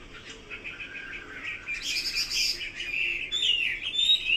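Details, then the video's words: Chinese hwamei song with soft whistled notes building into a loud, bright, buzzy flourish and ending in sliding high whistles. "Kicau burung Hua Mei."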